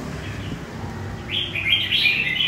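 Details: Wild-caught red-whiskered bulbul from central Vietnam, kept as a cage bird; after a second of low rumbling background, a bright warbled phrase of quick rising and falling notes begins and runs to the end.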